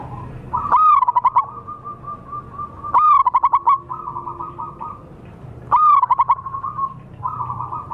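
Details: Lure recording of a wild local zebra dove. Three phrases of quick, bubbling, pulsed coos, each starting with a rising note, come roughly every two to three seconds. Lower, even buzzing tones lie between them.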